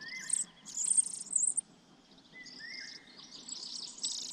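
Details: Sparrow chicks in a nest atop a pine tree, tended by their parents: bursts of high, hissy chirping in short clusters, with a steady high insect-like tone and a thin rising whistle underneath.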